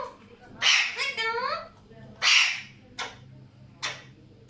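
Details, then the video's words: Alexandrine parakeets squawking: loud, harsh screeches repeated irregularly about every second, one followed by a short series of nasal, wavering notes, against a quiet low hum. "Alexander parrots making beautiful sounds."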